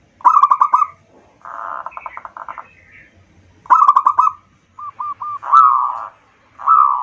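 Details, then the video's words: Local zebra dove song used as a lure to stimulate other birds: bursts of fast rolling coos mixed with buzzy stretches, short hooked single notes and longer drawn coos, with brief silences between. "pancingan perkutut lokal"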